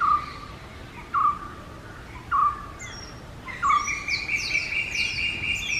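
Oriental magpie-robin singing: clear mid-pitched whistles repeated about every second, then a long, higher sustained whistle threaded with quick bright notes, over faint background hiss.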